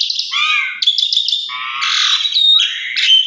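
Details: A bold Asian pied starling pours out lure song to draw other starlings into singing: harsh, grating phrases mixed with layered whistles and squawky notes run almost without pause.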